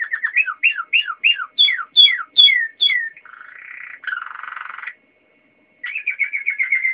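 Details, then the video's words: A Waterslager canary sings a series of quick falling whistled notes, then low bubbling rolls, a short pause, and a rapid twittering trill. "Kanarie waterslager aan het zingen"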